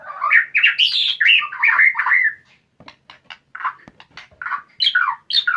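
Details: White-rumped shama beginning its fighter song: a rich, fast run of varied warbled and whistled notes, then clipped clicks and rising-falling chirps repeated roughly twice a second.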